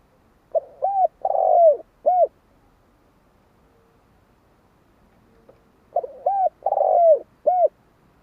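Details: Spotted dove cooing: two identical phrases about five seconds apart, each a soft low hooted coo, a short double note, a longer falling coo, then a final hooted note.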